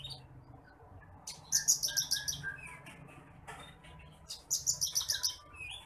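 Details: Bush lark (titimplik) singing for masteran: two bursts of quick, evenly repeated sharp high notes, about eight each, separated by softer twitters and thin whistled slurs.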